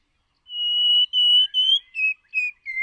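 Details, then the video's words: Lure white-rumped shama in voice training gives a pure whistled phrase: one long steady note, then five shorter notes, each a little lower than the last, in a clean descending series. "Chòe lửa Mồi hót cực đỉnh ✦ Luyện giọng chòe lửa"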